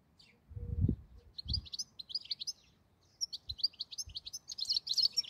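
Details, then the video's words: European goldfinch (cardellino) singing a rapid, tinkling run of high, liquid twitters and trills, broken by a short pause, with a few low thumps underneath. "Canto del cardellino"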